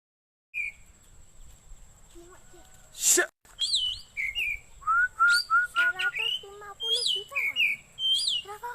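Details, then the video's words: Oriental magpie-robin (kacer) song for luring birds or tutoring birds at home: varied clear whistled phrases, some rising and falling, others slurred, with one harsh broadband rasp mid-phrase and a steady high electronic tone behind. "Suara Burung Kacer Cocok Buat Pikat / Masteran"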